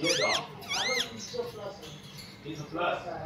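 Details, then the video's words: Domestic rose-ringed parakeet said to be talking 'mummy papa': two loud arching whistled syllables at the start, followed by softer mumbled speech-like sounds and a final short burst. "funny Ringneck 🦜 Parrot Mithu talking mummy papa"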